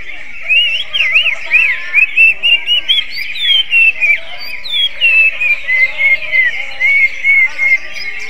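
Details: Greater green leafbird whose song is likened to an oriental magpie-robin's: clear whistled phrases of looping, up-and-down notes, then steady falling slurs, delivered in quick separate bursts throughout.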